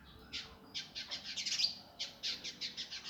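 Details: Indigo Flycatcher in a rough, fast, tightly packed gavor style, used as a master for training cage birds: quick bursts of high buzzy chattering notes, a dense run in the middle, then a regular series of sharp chips.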